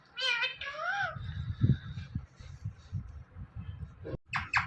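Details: Pet parrot mimicking speech, said to be saying "Mithu": a short harmonic, wavering voiced phrase in the first second, then muffled low room noise and a brief burst of higher sounds at the end.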